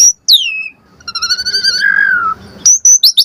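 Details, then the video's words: Asian pied starling lure song with varied phrases: a sharp high whistle dropping fast, a held buzzy harmonic tone drifting lower, then a few quick high chips. "Suara Jalak Suren Pancingan AMPUH Full Isian Variasi Agar Burung Jalak Auto NYAUT Cepat Gacor Isian"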